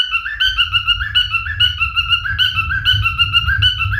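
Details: Singing male cockatiel giving a warbled run of clear whistled notes that step up and down in short repeated phrases, with a steady low rumble underneath.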